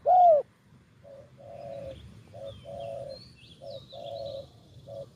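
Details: Spotted dove cooing in the style used for luring doves: a loud sharp note at the start, then a series of low, soft coos of varied length. Faint higher bird chirps sound in the background.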